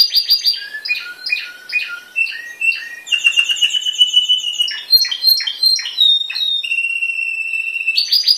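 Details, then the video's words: Yellow Spanish timbrado canary with a black patch, born in 2012 and trained for contest, singing indoors: rapid rolling trills stepping between pitches, then long steady bell-like notes held for over a second, with bright high overtones. "canario timbrado cantando"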